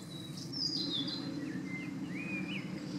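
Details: European pied flycatcher calling: thin, high whistled notes slide downward, followed by a few shorter, lower whistles and a final rising-then-falling note, all over a steady low background rumble.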